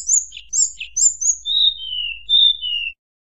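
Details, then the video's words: Tledekan gunung singing to rouse rival birds: three sharp high notes each paired with a lower chirp, followed by four long, clear whistles sliding gently down in pitch. "tledekan gunung nyuling bikin lawan emosi"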